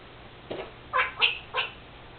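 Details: Pet Senegal parrot that imitates her owner's sneezing gives three quick raspy, voice-like syllables about a third of a second apart, after a faint soft note, indoors with a low hum.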